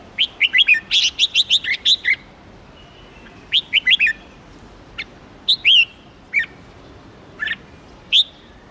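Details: Red-whiskered bulbul singing: bursts of bright, quick chirped notes with short fluty slurs, a rapid run of about a dozen notes in the first two seconds, then scattered shorter phrases and single notes over a quiet hiss.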